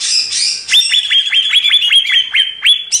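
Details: Greater green leafbird song from a master recording used to train cage birds: a harsh buzzy opening, then a fast series of about ten sharp, high, down-slurred whistled notes in quick succession.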